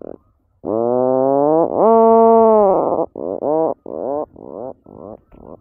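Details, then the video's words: A puffin gives two long, low, nasal groans, then a run of about seven shorter moaning notes that fade and slow toward the end. "Puffin sound"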